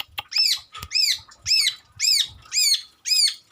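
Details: Long-tailed shrike song borrowing other garden birds' sounds, here a harsh, arched, rasping note repeated about twice a second, six times, with faint clicks underneath.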